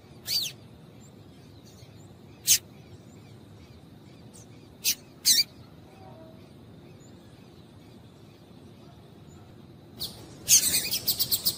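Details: Female double-collared seedeater calling to stir a male to sing: sparse sharp high chips spaced a few seconds apart, a long quiet gap, then a dense burst of rapid chirps that ends in quick repeated notes.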